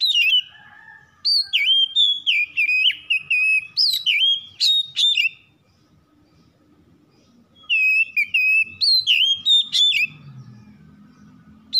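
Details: Oriental magpie-robin (kacer), a home-kept bird, in rapid varied song meant to prompt other birds to sing: fast runs of whistled slurs and sharp clicks, a quiet pause mid-way, then another fast burst.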